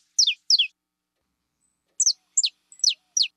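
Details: Female saffron finch chirping in high, sharp downward-sweeping notes: a quick pair, a one-second gap, then four more spaced slurred chirps, clean and loud against a silent background.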